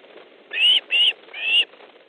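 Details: Osprey at a nest in Estonia on 3 August 2014 in the afternoon, at a fish delivery with the mate arriving; three sharp whistled calls in quick succession against a faint hiss.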